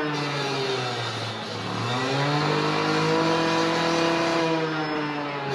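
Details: A vehicle engine revs and accelerates, its humming harmonics rising and falling throughout, with no animal sound heard.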